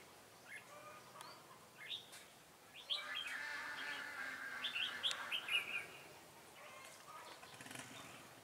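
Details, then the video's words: Red-whiskered bulbul decoy singing to lure rivals during trapping in Vietnam, 18 September 2018: bursts of bright, warbling whistled notes with sharp high chirps, loudest in the middle, over faint background rustling. "Bẫy chào mào Ché khét nẹt"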